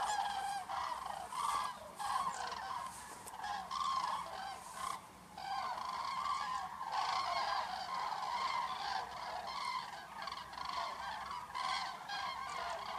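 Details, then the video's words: A flock of common cranes in the evening at sunset near Negast, flying toward the Bodden to roost for the night, calls without pause: loud rolling trumpet notes overlapping from many birds, faint hum behind. "Abend mit Schrei der Kraniche"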